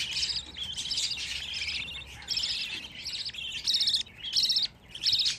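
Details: Young budgerigars, fifteen chicks housed together, give buzzy, high chirps. The calls grow louder toward the end as three distinct grating bursts sound about once every second.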